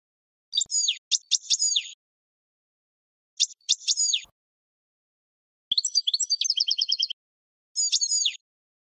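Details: Song of a European goldfinch, recorded for teaching other birds: short bursts of liquid, tinkling twitters separated by pauses, including a fast rattling trill of repeated notes, clear and isolated without background noise.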